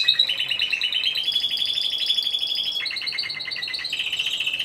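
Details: Timbrado Español canary song recorded at a singing competition and show, C2 individual entry, 26 November 2015. It is made of steady bubbling rolled trills, with a sudden shift partway to a lower, choppier rattling phrase.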